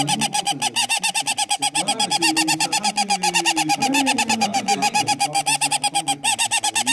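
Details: Caged bird screaming very loudly and without pause, harsh broadband pulses repeated about four times per second, with a lower wavering tonal sound running beneath.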